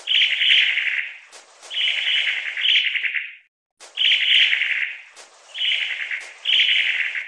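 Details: Long-tailed tit (Aegithalos caudatus) uttering buzzy trilled churrs in pairs, each rattle about a second long, with a clear pause midway before the series resumes.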